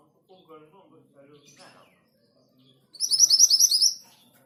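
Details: Orange minivet singing energetically: after faint low murmurs, a one-second burst of rapid, very high, thin chirps, about ten in quick succession.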